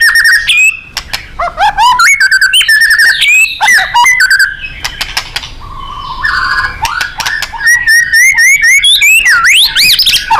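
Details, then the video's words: White-rumped shama in energetic 'gacor' and 'nembak' style, a training recording for contest birds: rapid loud whistled phrases, rising and falling sweeps, and sharp chips in fast bursts, with a brief quieter warbling passage midway. "Murai GACOR & NEMBAK ...FULL POWER & FIGHTER"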